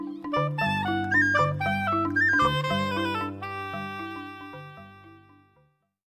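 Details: A short passage of clarinet-like woodwind music over sustained low chords, fading out at the end, with no animal sounds.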